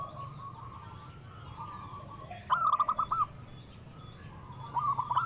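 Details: Zebra dove of a local strain, song meant to prompt caged doves to sing: a quick, loud run of about six rolling coo notes after quiet murmuring, with another burst starting at the end.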